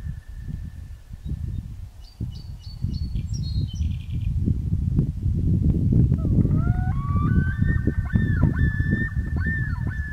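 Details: Common loons on Big Donahue Lake: after a stretch of wind rumble, a long clear tone rises, then holds and bends through several steps. A brief high songbird phrase sounds earlier, and steady low wind noise runs throughout.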